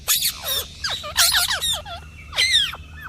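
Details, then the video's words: Rough parrot squawks and chirps in irregular bursts, some notes sweeping sharply downward, with quieter calls between. "Parrot Chirping Voice"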